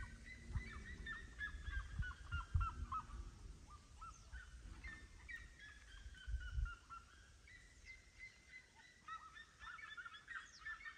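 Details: Several seriemas in song, giving long series of sharp, yelping notes that speed up and break into rapid repeated bursts, with a low windy rumble and a few thumps underneath.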